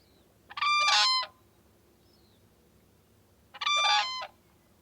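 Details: Whooping crane (Grus americana) giving two loud, brassy, trumpeting bugles about three seconds apart, each under a second, over a quiet background.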